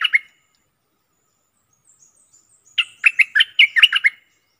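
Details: Bulbul dated 24 October 2021 closes a phrase with two chirps, goes quiet, then delivers a lively burst of about nine quick, warbled notes.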